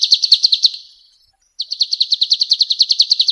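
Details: Energetic male golden-bellied gerygone used as a tutoring master: a burst of quick, high, sharp chips fades out, then after a short silence a fresh fast series of evenly spaced high notes begins.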